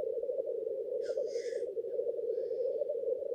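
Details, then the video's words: Continuous low bubbling from black grouse gathered at the lek to display to females, with one sharp hissing burst after the first second and a fainter rising whistle later. "Black grouse lekking behaviour"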